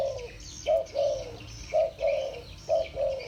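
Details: Spotted dove coos in the 'thổ bầu' voice, two birds answering each other: three loud hollow two-part phrases, a brief note followed by a drawn-out one, over faint bird chatter.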